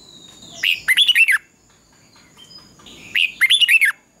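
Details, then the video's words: Red-whiskered bulbul in competitive dawn singing used for training: two loud phrases of five or six quick, rolling whistled notes ending on a downslurred tail, spaced about two and a half seconds apart. "Luyện chào mào hót sáng. chào mào hót đấu."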